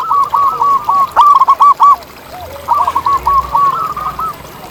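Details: Wild zebra dove in its natural habitat gives two runs of fast, staccato cooing notes, each lasting about a second. Quieter, lower coos overlap between the runs.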